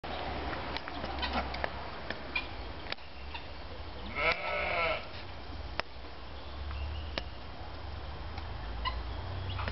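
A golden pheasant gives a single harsh, wavering call lasting under a second, over a low background rumble and a few scattered clicks.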